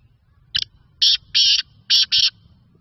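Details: Black francolin, also called black partridge, in Sindh, Pakistan: a loud series of five harsh, grating notes over about two seconds, the first short and the rest longer and evenly clipped, against a quiet background.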